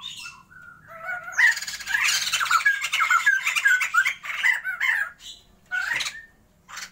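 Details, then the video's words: After a few soft notes, a caged Sumatran laughingthrush pair held for breeding bursts into a loud, squawking laughing chorus of quick rising and falling whistles, fading out in short calls. "Mencoba MENANGKAR Pasangan POKSAY JAMBUL SUMATERA GACORRR"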